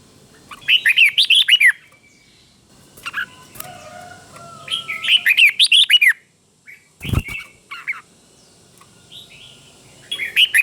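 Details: Caged red-whiskered bulbul used as a teacher bird for training others, singing clear, slowly doubled phrases: bubbly rising-and-falling whistled bursts about every two seconds, with quiet gaps and one sharp knock.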